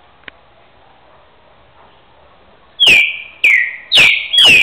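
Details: Caged two-year-old green-winged saltator, a boiadeiro-style repeater from Rio de Janeiro state, singing after a quiet stretch: four strong descending whistles with sharp attacks, spaced about half a second apart, faint background hum.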